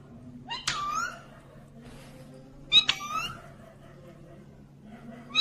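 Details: Talking green ringneck parrot giving two harsh-edged, nasal utterances about two seconds apart, each a sharp onset falling into a drawn-out voiced tone, with quiet room hum between.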